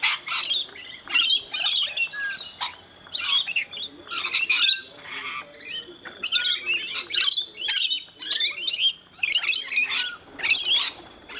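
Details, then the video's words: Rainbow lorikeets at feeding time in Mt Gravatt, Brisbane, Australia, with a scaly-breasted lorikeet present; dense, harsh, high screeching squawks repeated in rapid bursts almost continuously, several birds calling over one another. "Rainbow Lorikeets at HUB 292 (Mt Gravatt, Brisbane)"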